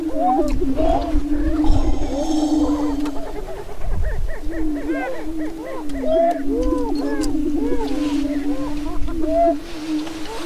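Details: On a northwest Minnesota lek near Crookston in late April 2013, Greater prairie-chickens perform their annual spring mating dance; a sustained low boom drones on while dense bursts of looping whoops and cackles come and go, with wind rumble below.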